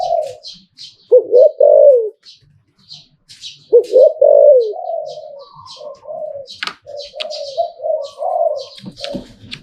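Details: Mellow, low hooting phrases of a spotted dove, หลิ่วตัน style, two loud rising-then-falling bursts followed by quieter trailing coos, with light twittering of small birds behind.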